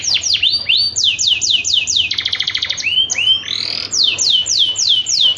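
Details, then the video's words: Canary song played to prompt breeding: rapid repeated descending whistled sweeps, a burst of fast buzzy trilling, rising slurred notes, then more loud sweeping phrases in quick succession. "PANCINGAN KENARI KAWIN AMPUH TERBARU ! KENARI APAPUN LANGSUNG GACOR MINTA KAWIN ! BEST CANARY VOICE"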